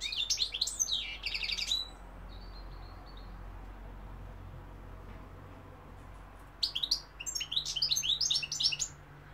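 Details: European goldfinch in song, 2021, London and Algeria noted: a short burst of high buzzy twitters, a long near-silent stretch with faint hum, then another flurry of rapid sliding chirps.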